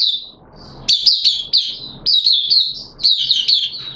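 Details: Kept Oriental white-eye recorded in wet weather on 6 September 2022 sings a fast, high, twittering warble in bright bursts about a second long, with brief pauses between phrases, over faint low room noise.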